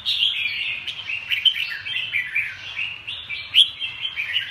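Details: Red-whiskered bulbul giving steady, dense, warbling chatter of rapid mid-high notes with a few louder sharp accents throughout, faint low hum beneath.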